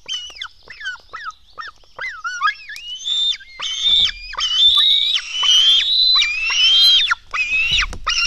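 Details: Nestling black storks at the nest during a feeding, 04:53 on 24 June 2016, begging with many overlapping calls: short squeaky whistled notes swell into loud, sustained rasping screams, several chicks calling together.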